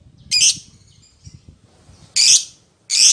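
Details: Lovebird calling to its companion: three loud, rough, high squawks, separated by a gap of over a second, with faint low rustling between them.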